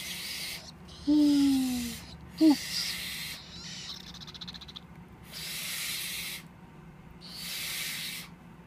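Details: Captive young tropical screech owls, three chicks hatched in early March 2014, make two brief descending squeals followed by long rasping hisses roughly every one and a half seconds.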